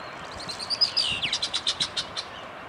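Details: Least tern, a single bird on a pontoon at Cape May wetlands, New Jersey, USA: a quick run of sharp, high chirped notes, about ten within two seconds, over soft background hiss.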